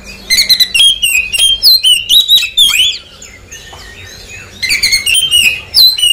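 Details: Oriental magpie-robin song used as a lure to prompt a bird finishing its moult to respond quickly: loud, varied whistled and chattering phrases, rapid notes sweeping between high pitches, a brief quieter pause midway before the rich phrases resume.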